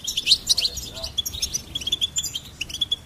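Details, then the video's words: Goldfinch song, a dense run of bright, liquid twittering notes and quick trills, steady and lively for the whole stretch. "Goldfinch Singing and Song Compilation"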